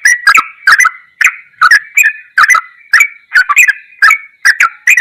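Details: Ropelan goklikan style song of a sooty-headed bulbul used as tutor material: chattering bursts of liquid, gurgling notes, roughly two or three per second, uneven in spacing.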